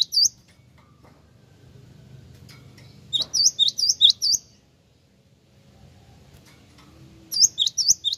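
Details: Java sparrow lure call that birds are said to answer at once: high, sharp chipping notes in quick runs of four or five, with pauses between bursts, over a low background hum.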